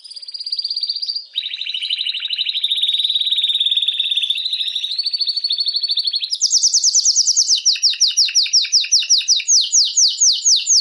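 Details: Canary song intended to stimulate females for mating. A long steady rolling trill holds for about six seconds, then jumps higher into a series of rapid falling slurred notes.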